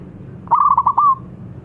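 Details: Local zebra dove singing prolifically, a long song meant to prompt birds still reluctant to sing: one soft, rolling coo of rapid stuttered notes ending in a smoother drawn-out note.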